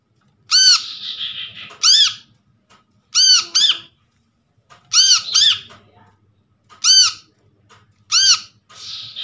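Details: Brown-throated sunbird calls from a trapped bird, used to coax a silent bird into sound: strong, ringing arched notes singly or in pairs, repeated roughly every one and a half seconds, with a soft buzzy trill early on.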